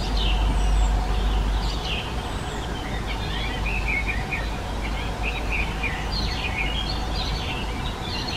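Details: European serin (Serinus serinus) singing a high, fast, scratchy jingling trill of tinkling notes, largely masked by a loud, constant rumble of traffic.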